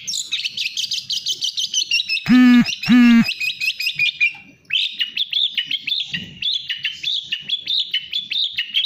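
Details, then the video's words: Fast gacor speed rapet singing from a long-tailed shrike (cendet/pentet): a continuous high twittering stream, broken near the middle by two loud, harsh nasal notes, then a short pause before the rapid chatter resumes. "Burung Cendet/Pentet gacor speed rapet"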